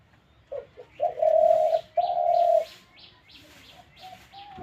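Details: Captive spotted dove gives a phrase of two quick short notes followed by two long, smooth, low coos. Faint higher chirps from another bird follow in the background.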